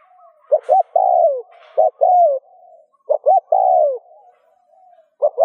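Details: Cooing of a spotted dove, used to prompt other doves to answer: double short hoots then a drawn-out descending coo, repeated in steady phrases, mellow and low-pitched, with faint higher chirps early on.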